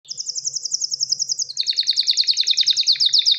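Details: ['Male canary ready to breed, singing to call a female and stimulate mating: a rapid, even high trill, then a faster run of slurred, falling notes with buzzy lower undertones.']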